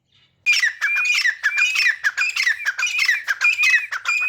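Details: Teetar, or grey francolin, calling while playing in mud: after a moment of quiet comes a fast, unbroken run of loud, grating squawks mixed with sliding whistled notes, about one and a half per second.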